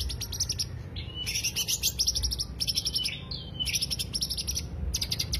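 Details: Greater green leafbird singing as a lure: quick runs of piercing, buzzy trilled notes repeated in about five short bursts, mixed with slurred whistles, low hum underneath.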